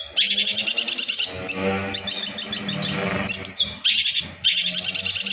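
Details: Long-tailed shrike song for training other shrikes to sing: dense, high chattering bursts in rapid series, with a sweeping whistle near the middle and a low steady hum underneath.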